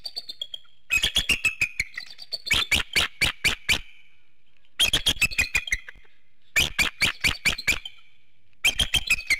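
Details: Early-morning calling at 7:06 a.m. from a bald eagle nest in Hanover, PA, recorded under an infrared camera. Four bursts of shrill, staccato piping notes sound in rapid series, separated by short silences, with a faint thin whistle between bursts.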